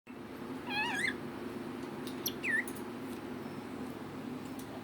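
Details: Pet female red lory doing bedtime talk and imitating a cat's meow: a wavering, warbled note around one second, then a squeaky rising-falling whistle, with faint clicks over a steady low indoor hum.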